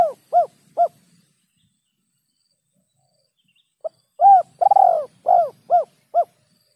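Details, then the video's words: Lure call of a spotted dove of the rare kuk 2 or kuk 3 type: three hooked coos, a long pause, then a short note, a rolling coo and several more hooked coos, low and mellow. "SUARA PIKAT BURUNG TEKUKUR KUK 2 DAN KUK 3"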